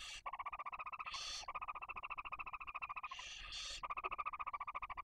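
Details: Nesting barn owls, female with chicks one and four days old, Cabañeros National Park, Spain, during feeding: fast continuous chittering pulses, roughly three or four per second, broken by several short breathy hisses.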